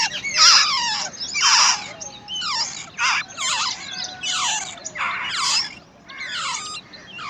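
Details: Wild babbler chicks being fed and guarded by a parent give harsh, noisy begging bursts, repeated roughly once a second, with descending squeals mixed in.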